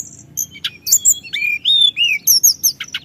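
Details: Sunda whistling thrush in rolling song to provoke other birds: spaced sweet whistles, several rising-then-falling slurs in the middle, and a final sequence of bright high notes.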